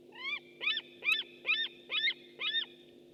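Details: White-tailed eagle on a webcam, 6 August 2015: six harsh, yelping notes with strong overtones. They come roughly every half second and rise then fall. A steady low electrical hum runs underneath.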